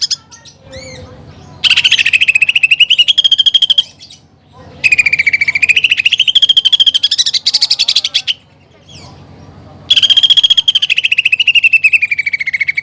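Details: Singing greater green leafbird whose repertoire includes copied fighting sparrow and woodpecker phrases, delivering three long runs of fast pulsed notes, the first two rising steadily in pitch and the last sinking slightly, with brief pauses and a faint whistle before.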